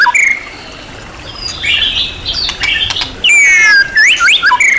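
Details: White-rumped shama, champion class, in a varied training song. Short whistles come first, then a quieter stretch with a few clicks, then a loud burst of fast, sweeping, rising whistles.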